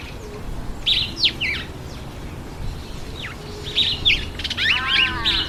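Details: Black-collared barbet at a feeding table; scattered high chirps and downslurred whistles, then a busy run of twittering, buzzy notes and harmonic-rich calls near the end, with a low background hum.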